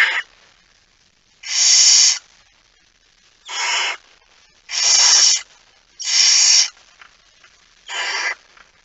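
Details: Barn owl, possibly a male carrying a mouse, in Friesland, Netherlands, at 23:55 on 17 September 2019, giving six harsh, hissing screeches, each about half a second long, at uneven intervals of one to two seconds; nothing else is heard.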